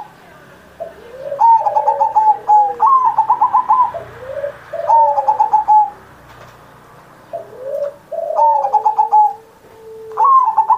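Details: Zebra dove song recorded on Indonesian Independence Day to stimulate other pet doves: repeated phrases of short low swoops followed by a fast rattling string of higher bright notes, phrases recurring every three seconds or so.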